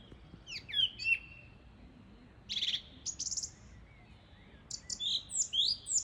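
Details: Song thrush sings loud, varied phrases: clear slurred whistles, then a buzzy note repeated several times, then a bright, complex flourish, against a quiet background.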